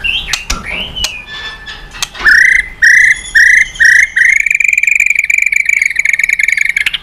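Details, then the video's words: White-rumped shama song used to lure other birds into singing: opening sweeps, then four clear, evenly spaced whistles followed by a long sustained trilled whistle. "Masteran MURAI BATU super gacor dan istimewa..cocok tuk pancingan burung lain."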